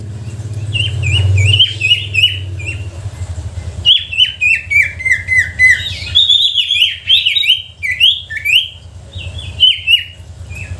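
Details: Sooty-headed bulbul lure song to spur silent bulbuls: a dense stream of quick, repeated chirps with falling tails, some overlapping, with a low hum early on.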